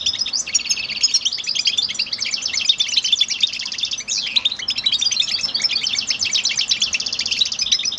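A goldfinch sings a fast, continuous tumble of bright twittering and tinkling notes with buzzy trills, high-pitched and unbroken throughout.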